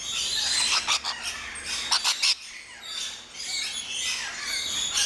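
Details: Rainbow lorikeets crowding a lory aviary at an orchid farm in Luttelgeest, Netherlands, a very noisy flock: dense shrill screeches and chattering, with several sharp loud squawks clustered near the middle.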